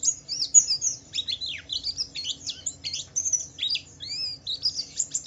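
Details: Javan white-eye delivering a varied ngalas song to provoke other white-eyes: jumbled high warbling with swooping slurs and short trills, loud and uneven, notes crowding one another without clear gaps.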